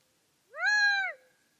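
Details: Gambel's quail uttering one loud, clear, drawn-out note with a gentle rise and fall, crisp and isolated in a still background.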